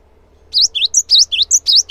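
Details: Cinereous tit in full, lively song, played to set other birds singing along: a quick run of about eight high, clear, whistled notes, each a short upward or looping slur, delivered in rapid succession against a quiet background with a faint low hum.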